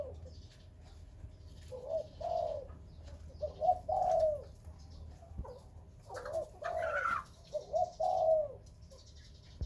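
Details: Captive-bred spotted dove of Khmer and Malay dove type uttering paired, throaty coo phrases at intervals of about two seconds, while a higher chirping bird calls briefly in between and a faint tap is heard.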